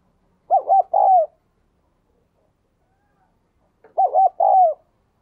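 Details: Eager captive spotted dove with a 'đồng kim' cooing voice, played to encourage newly trapped doves to start cooing: two identical low, rolling coo phrases roughly three seconds apart, quick double notes then a longer sliding note, otherwise quiet.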